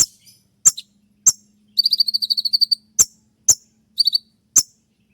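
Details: Konin trotol sharp 'shot' training song for dawn: crisp falling chips, a long buzzy trill of about fourteen high notes mid-way, then short paired bursts and more chips over a faint low hum.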